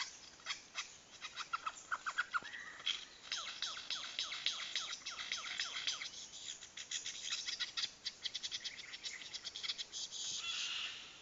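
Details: Courting lyrebird in Dandenong Ranges National Park mimics blaster noises: rapid, dense runs of quick downward-sweeping zaps and clicks, several per second, with brief whistled notes mixed in, building to a continuous buzzy rattle near the end.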